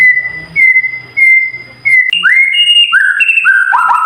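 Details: White-rumped shama song as tutor audio for caged birds: a series of level whistles repeated about twice per second, then rising slurred whistles and a quick falling trill.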